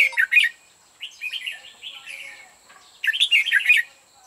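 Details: Singing decoy red-whiskered bulbul luring other birds toward a trap: loud chattering notes open, followed by a mellow gurgling warble, then another energetic burst of rapid bright phrases, with a faint steady high whine throughout.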